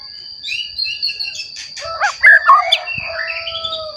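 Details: Singing white-rumped shama, recently matured, played to provoke young and adult shamas to sing; slurred whistles and loud rich notes, some dropping low, over a constant high-pitched hum.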